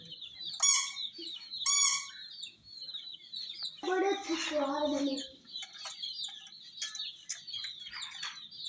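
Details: ['Domestic chicken chicks around a miniature toy jeep, a steady stream of high, thin peeps overlapping each other, interrupted by two short harsh bursts early on and a lower voice-like sound near the middle.']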